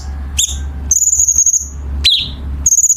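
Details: Chinese bulbul training song for competition birds, sharp and dense with rasping notes: a chirp, a sustained high pulsed buzz, a falling chirp, then another rattling buzz, over steady low hum.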